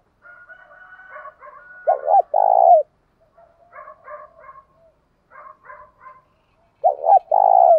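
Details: Spotted dove giving its call in the thổ sấm voice style, used to rouse decoy birds. Two loud, deep, rolling coo phrases follow a soft, murmured run-in of quieter notes, with a brief gap between phrases.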